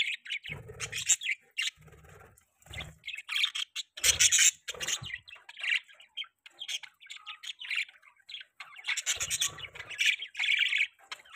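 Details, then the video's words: Chattering budgies: a long, continuous stream of high, squeaky chirps, whistled notes and harsh rasps, louder bursts alternating with softer twittering. "Budgies chirping sound|Budgie bird sounds"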